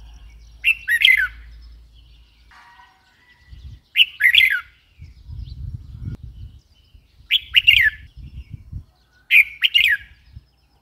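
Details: Red-whiskered bulbul repeating a short, bright, chirpy phrase of a few quick whistled notes roughly every two to three seconds, four times, over low rumbling background noise.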